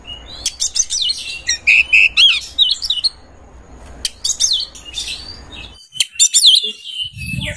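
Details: Oriental magpie-robin in full breeding condition, its song used to lure other birds: bursts of sharp chips and looping whistled notes, a quieter pause, then another fast flurry of clicks and sweeping whistles.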